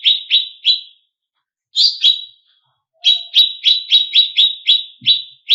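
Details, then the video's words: Greater green leafbird song for provoking competition birds: three sharp descending chips, a rougher double note after a pause, then a rapid series of about ten high, clipped chips. "Pancingan Cucak Cungkok Emosi ~ Masteran Burung Lomba"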